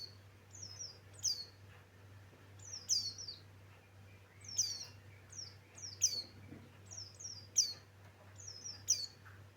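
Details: White-eye of the Buxtoni form singing energetically: clean, high, falling whistles in short two- and three-note bursts every second or so, over a soft steady hum with little other noise.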